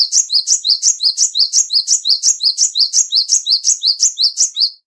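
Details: Continuous rapid chirping from a small black, white and grey tit: high, clear paired notes repeated nearly three times a second for the whole stretch without a break.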